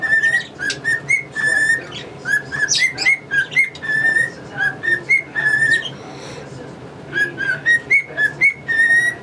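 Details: Cockatiel, a male pet bird, whistling a learned song such as the Mexican Hat Dance. Crisp tonal notes follow in lively succession, and scratchy budgie calls are layered above.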